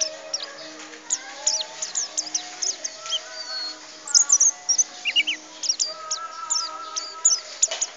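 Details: Mountain white-eye from Tegal singing in the ngriwik teler style: rapid bursts of high, thin chirps and twitters, short sharp notes clustered in quick runs, over a background of steadier lower whistled tones.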